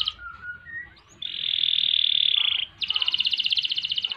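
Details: Canary singing for tutoring and prompting other birds: soft low whistles, then a sustained buzzy roll and a rapid, pulsing rattle of sharp notes.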